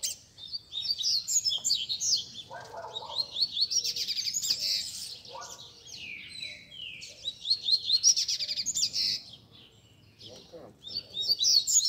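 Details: Group of top competition double-collared seedeaters singing at once to warm up another bird: overlapping high, rapid twittering and buzzy trilled phrases that swell and fade, with a soft low background noise.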